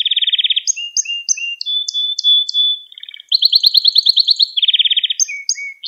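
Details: Canary song used to teach young canaries: rapid rolling trills alternate with short clipped notes and a steady whistled tone, then a bright high trill and more quick repeated phrases, no other sounds.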